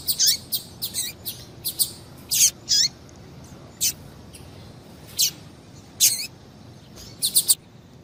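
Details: A female double-collared seedeater gives short, thin, high chips, singly or in quick pairs, about a dozen at an uneven pace over a quiet background; the call is used to stimulate male seedeaters to sing.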